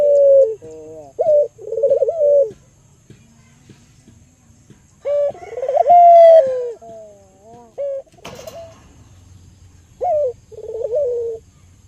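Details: Lure recording of an albino local Barbary dove meant to stimulate other doves: bursts of rolling coos with long quiet pauses, a sharp click partway through, then more trilled, falling coos.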